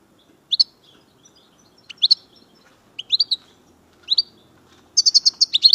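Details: European goldfinch, chardonneret linked to Algeria and the major type, giving short bright twittering phrases around every second, each a quick cluster of high chirps, ending in a faster continuous buzzy trill; quiet background.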